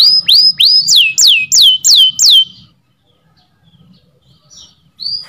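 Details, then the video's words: Canary singing, tutor recording for canaries that have stopped singing: six or seven quick sweeping whistled notes, then near silence with a faint note and a final rising whistle. "MASTERAN KENARI MACET BUNYI | CANARY SINGING"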